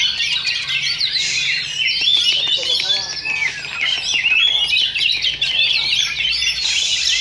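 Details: Singing contest of caged Oriental magpie-robins, Sindanglaut Sunday practice event, session two: rich, jumbled whistles and chatter pouring out without pause, voices of onlookers faintly underneath.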